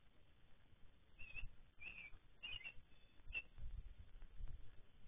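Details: Baltimore oriole giving four short, clear whistled notes spaced roughly half a second to a second apart over a soft low background hum.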